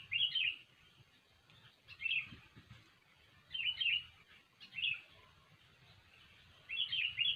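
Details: Sooty-headed bulbul in full, lively song, used as a lure for trapping birds: short, bubbly, chirping phrases about every one to two seconds, five in all, with quiet pauses and a low background hum.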